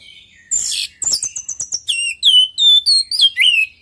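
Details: Orange-headed thrush singing loudly, offered as a lure to make pet birds answer: harsh opening notes, then a rapid chain of clear, slurred whistles, each slightly different, about four per second.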